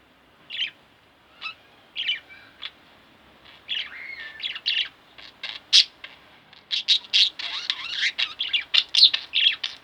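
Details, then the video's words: Pet budgerigars, a pair at home, start with spaced single chirps, then build into dense, fast chattering warble with scratchy, twisting high notes. "Budgie Birds Extravaganza-Relax With My Budgies 15 minutes"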